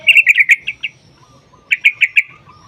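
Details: Sooty-headed bulbul in a long rapid rolling 'ropel' song used as a lure to make other bulbuls sing: two bursts of quick, bright repeated notes, about six then four, separated by a short pause.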